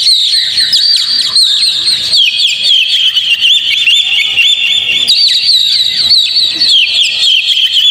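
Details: Energetic, unbroken twittering and whistling from an Oriental magpie-robin, played to get a caged bird to sing. Notes wobble up and down rapidly, and sweeping slurs recur every second or so.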